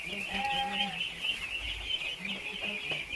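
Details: Thousands of young ducks at feed produce constant high-pitched peeping, overlaid by short, low, repeated bleating notes and one clear drawn-out whistled call.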